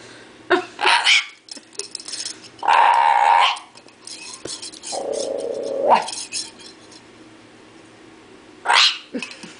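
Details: Little corella: a pet bare-eyed cockatoo, being entertained by its owner with a can, gives four harsh, rasping squawks about two seconds apart, some with a nasal, bark-like tone, with faint clatters between them.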